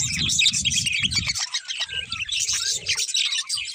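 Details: A pair of budgies gives dense, high chattering chirps and warbles throughout, with low thumping or rumbling bursts underneath in the first and middle parts.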